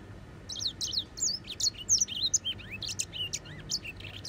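A grey singing finch delivers a fast, sweet warbling song of high twittering notes, quick slurred whistles and trills, nearly three per second, over a faint low hum.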